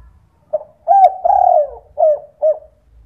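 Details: Spotted dove lure call used at night to prompt other doves to answer: a soft short coo, then two long low mellow coos, the second one wavering, and two brief closing notes. The background is quiet.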